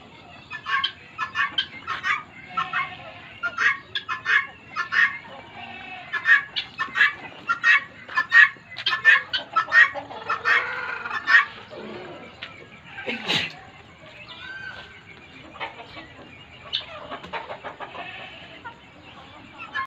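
Guineafowl giving harsh, rapid, repeated chattering calls.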